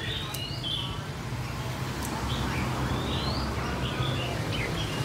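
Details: Red-whiskered bulbul from Phetchaburi singing in the plai loi style: clear, high whistled phrases, several rising and swooping, spaced irregularly over a steady low hum and background noise.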